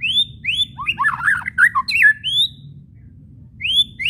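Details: White-rumped shama kretekan whistles meant to spur shamas into singing: bright rising whistles open, a fast chattering tangle of varied notes follows, then a quiet gap and another rising whistle.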